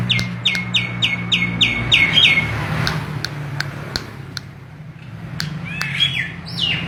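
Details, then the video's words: Starling (jalak) opening with a rapid series of about eight sharp, down-slurred whistles, then scattered clicks and a few bright rising chirps, with a low engine hum throughout. "Burung Jalak"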